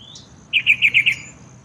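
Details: Yellow-vented bulbul bathing at a small courtyard water pool near a workplace, a common town resident: a rapid run of five bright, bubbly chirps in under a second, with a faint high background hiss.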